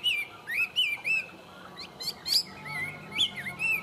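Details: Tame Chinese hwamei singing in captivity: loud looping whistles in short groups, a brief quieter stretch, then sharp rising notes and a final bright whistle, with a low hum throughout.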